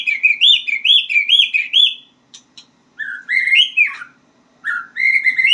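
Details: Learning white-rumped shama: looping, repeated rising-and-falling whistled notes, a pause with a couple of soft clicks, then fuller fluty phrases climbing in pitch.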